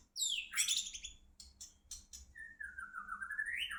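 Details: White-rumped shama from Medan, Indonesia, singing a loud descending sweep, a few sharp high notes, then a long sliding whistle that rises at the end, with a low hum behind.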